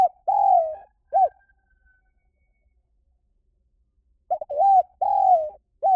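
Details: Spotted dove calling, played to lure birds: the end of one cooing phrase, with a long falling coo and a short final note, then quiet for about three seconds, then a fresh phrase of short and drawn-out low coos.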